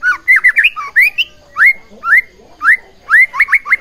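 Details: White-rumped shama singing, used to provoke rival shamas: loud, slightly harsh rising whistled notes in quick groups, some repeated in rapid triplets near the end.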